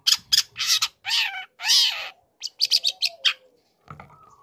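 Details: Young long-tailed shrike used as a lure for other shrikes, uttering drawn-out harsh grating rasps followed by a quick series of short scratchy notes and a faint trailing call.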